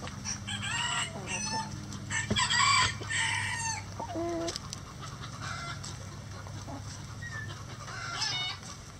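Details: Rooster crowing in a chicken coop among a flock: drawn-out harmonic calls rise and fall in the first seconds, with a louder stretch near the middle, over steady clucking from other chickens and a low background hum.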